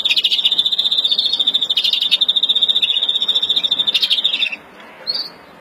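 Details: Breeding song of an agitated European greenfinch, Verdune mutation, recorded April 2016: one sustained rapid trill of about four and a half seconds, then a short pause and a single high chirp.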